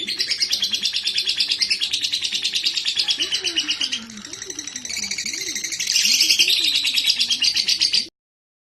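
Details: Lovebird in breeding condition, calling in rapid chattering bursts of shrill high chirps, continuous and dense, briefly quieter midway then louder again, with a low wavering tone underneath.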